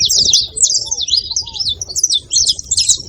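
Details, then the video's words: A group of saffron finches chattering continuously, with busy high chirping and trilled phrases throughout, occasional soft low whistled notes, and a steady low background hum. "Canarinhos da terra fazendo barulho"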